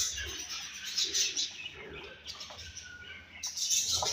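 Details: Softer twittering from a home-bred baby budgerigar: high, hissy chirps and squeaks blend into a continuous chatter, with a brief lull before a louder burst at the end.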